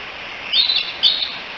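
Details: Two quick, high, slurred whistles from young bald eagles at the Decorah nest, three siblings chatting together on July 16, 2018 and calling for their mother, set against a faint hiss.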